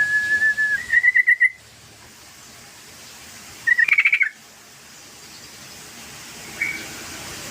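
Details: Sooty-headed bulbul song played as a lure to get other birds singing: a level whistled note, then a quick bubbly run of whistled notes, then a second short bubbly burst after a pause of two seconds, with a faint note near the end.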